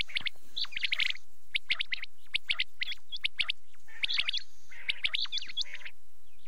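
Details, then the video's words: Quail calling at night: dense bursts of sharp, high chirps and rapid whistled notes, some with hooked upward sweeps, repeated in irregular clusters with brief gaps. "rat k liye batair ki awaz | quail calling"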